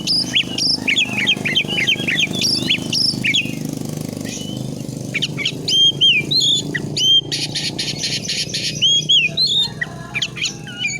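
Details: Magpie-robin 'fighter' song: quick sequences of short, sharp whistles and buzzy rasps over steady engine noise from a passing motorcycle.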